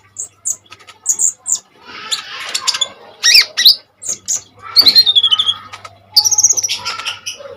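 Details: Common iora song as training material for other birds: high whistled notes, a harsh buzzy scratch, a quick descending trill and a slurred whistle, varied and fast-paced, with low hum.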